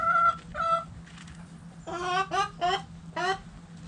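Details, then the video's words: Hens in a backyard coop giving two short tonal calls, then a series of four loud, harsh squawking clucks spaced about a third of a second apart, low hum behind. "Hens Clucking Roosters Crowing!"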